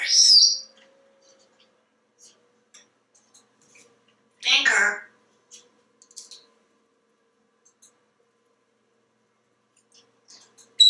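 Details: Talkative pet African grey parrot, a male hatched in 1997, indoors at home in Texas before a livestream. He gives a loud high squeak, then a buzzy speech-like burst, with faint clicks and soft ticks between them in a quiet room.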